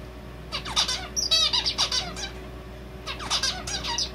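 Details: A male zebra finch sings two quick phrases of harsh, buzzy, nasal notes with a few thin whistles, each about 1.5 seconds long, over a faint indoor hum. Its song seems to include red avadavat calls.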